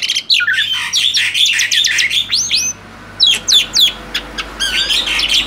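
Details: Male black-winged starling sings in bursts of harsh chatter and upward-swept whistles, goes briefly quiet, then returns with rapid squeaky notes and rasping phrases.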